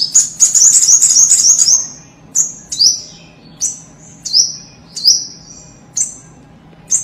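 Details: Common iora lure recording used to prompt an untrained captive bird to sing: a rapid, very high chattering trill for two seconds, then short, sharp downslurred whistled notes repeated roughly every 0.7 seconds over faint low background hum.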